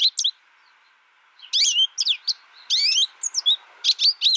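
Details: Isolated young American goldfinch that learned from a tutor recording, giving scattered high twitters and bright swept whistles in short bursts after a quiet opening, over a faint steady hum.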